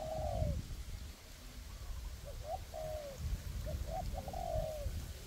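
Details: Two spotted dove decoys, a raised bird and a ground bird, calling in a forest to draw in wild doves for trapping; soft low coos, a lone note then a cluster of quick hoots, with background rumble.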